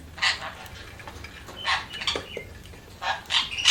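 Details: Budgies chattering in loud, harsh, broadband bursts of squawky chirps, coming in irregular runs every second or so, close to the microphone.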